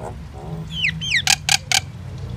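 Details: Indian or common myna singing: two sharp whistled notes slurring steeply downward, followed by three loud harsh rasping notes evenly spaced, over a low background hum.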